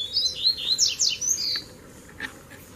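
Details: In a Brazilian countryside territorial song contest, a caged Double-collared Seedeater is brought to sing against free wild seedeaters; it sings a fast, high jumble of sweet whistles and sharp downslurred notes for about a second and a half, then falls quiet.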